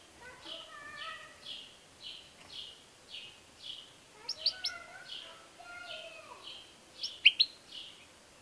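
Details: ['European goldfinch song of soft repeated high slurred notes with low whistled undertones, broken by two sharp, bright clusters of quick chirps.']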